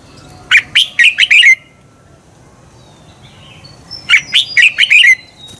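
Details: Red-whiskered bulbul singing as a lure to stimulate competitive song; two phrases of five quick, rich warbled whistles, separated by a gap of about two and a half seconds, with faint distant chirps between.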